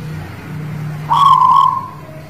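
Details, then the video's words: Zebra dove, Guling Murio type from the Muria mountain area of Kudus, Java, in full song (manggung): after a low rumbling background, one smooth, sustained mellow coo that fades out gently. "Suara Perkutut Guling Murio Manggung Tangguh Demak"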